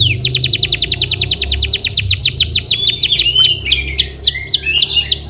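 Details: Canary song used as a tutor recording for training young canaries: rapid series of sweeping notes repeated several per second, shifting into looser descending whistles and slurred trills, with faint low hum beneath.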